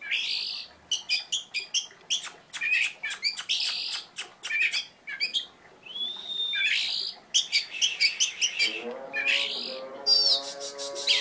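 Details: Oriental magpie-robin in full, busy song with 'tembakan' shots: rattling rapid clicks, buzzy smears and a smooth arched whistle. A steady tonal hum with layered harmonics enters in the last few seconds.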